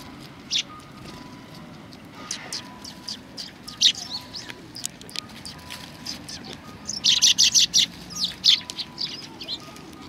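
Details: Sparrows at a Tenmangu shrine on 25 November 2020, coming in to be fed: short, high, sharp chirps, scattered at first, then a dense rapid burst of overlapping chirps near the end, over a faint steady tone.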